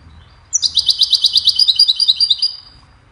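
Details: Goldfinch song used for training songbirds: begins with a sharp high note, then a fast string of tinkling twittered notes, bright and buzzy, lasting about two seconds before fading.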